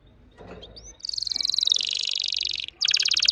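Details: Red factor canary in fast, unstoppable singing: after a faint rising whistle, a loud, dense buzzing trill of very rapid repeated notes runs for nearly two seconds, breaks briefly, then resumes as a harsher rolling trill; faint background hum.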